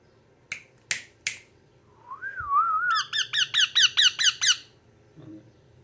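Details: A yellow ringneck parrot gives three sharp clicks, then a wavering whistled note that rises and falls. A quick series of about eight bright, harsh, evenly spaced squawks follows, then quiet.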